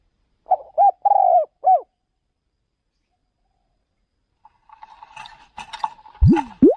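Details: Spotted dove used as a decoy for luring birds in another province. One low cooing phrase with a long rolling middle note opens, followed after silence by scraping, clattering noise and two sharp upward sweeping squeaks.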